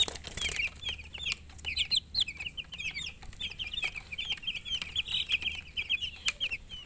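A group of chicks peeps nonstop, with high, thin chirps tumbling over one another several times a second, some short and falling, others rising.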